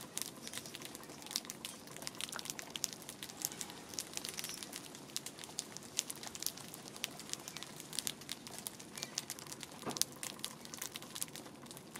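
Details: Steady crinkling and crackling noise with scattered sharp clicks, like handling or crumpling material, with no clear animal voice heard.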